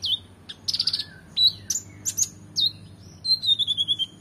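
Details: Oriental magpie-robin in full, energetic song for training competition birds: mixed chirps and whistled downslurs, ending in a fast series of repeated bright notes sliding lower.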